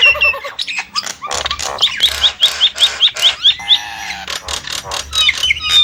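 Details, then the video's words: Nias hill myna: a series of about ten short, bright whistled notes evenly spaced, surrounded by rasping squawks and a rising slurred whistle. "the alluring sound of the Nias starling"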